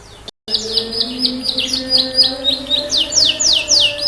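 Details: Actively singing canary, played to prompt silent, stressed canaries to respond: a brief dropout, then fast repeated downward-sliding high notes forming a rolling trill over a faint low hum.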